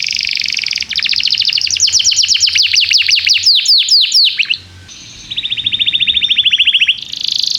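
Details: Song of a canary used to stimulate young canaries' learning: rapid rattling trill breaking into rising whistles, a short lull, then a steady even trill and another buzzy burst.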